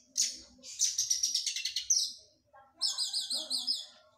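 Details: Oriental magpie-robin in physical training after its moult. A burst of rapid, high, buzzy trills and a run of chattering notes is followed by a short pause. A second phrase of repeated, wavering, looping whistles closes the sequence.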